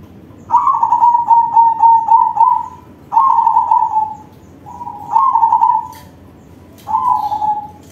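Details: Crossbred zebra dove (perkutut) singing in manggung style with a big voice, used to lure other zebra doves: four long trilled cooing phrases, each starting with a sharp rise and then a steady quavering tone, separated by short pauses.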